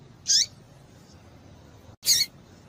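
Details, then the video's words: Female double-collared seedeater calls, used to stimulate a male coleiro to sing. Two short, harsh, high-pitched chirps come about two seconds apart against a quiet background. "COLEIRO TUI TUI PURO COM PIADO DE FÊMEA DE COLEIRO"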